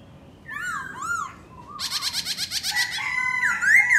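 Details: Black laughingthrush singing and dancing: arched whistled notes, a quick buzzy rattle of about a dozen pulses, then loud up-and-down whistled phrases.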